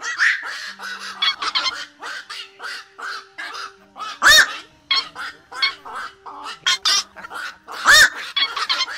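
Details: Black-crowned night herons give a flock-calling run of harsh, croaking quok calls, used as a lure for night net trapping, with two louder barking calls standing out over a faint low electrical hum.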